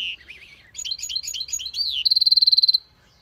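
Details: Hybrid bird singing: a varied run of high chirps and warbled phrases, then a fast even trill of about a dozen ringing notes before falling quiet.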